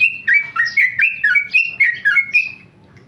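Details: Tame male sooty-headed bulbul, a kept contest bird, in fast rapid-fire song: a close, loud string of chattering whistled notes about four per second, fading out after two and a half seconds.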